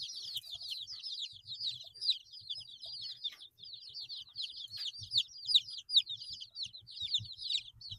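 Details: Group of 8-day-old chicken chicks chirping: dense overlapping high peeps, each a short downward-sliding note, tumbling continuously with no pauses, faint low thumps underneath.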